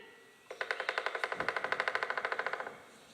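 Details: Pileated woodpecker, the largest local woodpecker, drumming as when excavating a hole or foraging: a steady two-second roll of about twenty loud, hollow knocks, roughly ten a second, over a faint room hum.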